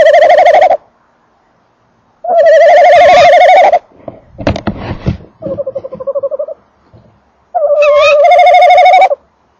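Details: Close to a nest box, a male tawny owl gives strong vibrating prolonged notes, with rustling and scraping between them as he moves, a softer quavering note, then another loud wavering note.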